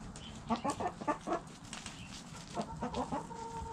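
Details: Backyard chickens, hens and roosters together, giving two clusters of short, quick clucks, the second ending in a longer, level, tonal note, over faint yard noise.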